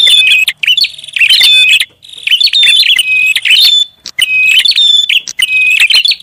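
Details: Prinia lure call, described as noisy, made of loud harsh chattering bursts with sharp high notes, delivered in dense groups about a second long and separated by short pauses.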